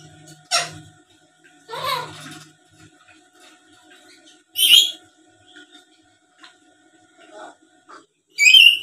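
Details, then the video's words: Black-capped lory, a tame bird known for talking and chattering, producing a sharp upward squeal, a rough grating note, then two piercing, shrill shrieks separated by scattered soft clicks. "Suara Asli Burung Nuri Paltem Gacor Pintar Ngomong dan Ngoceh² Buat Pancingan"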